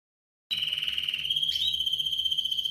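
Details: Spanish Timbrado canary from 2017 birds, singing: after half a second of silence, a steady, rapid metallic trill held at one high pitch, with a brief rising flourish midway.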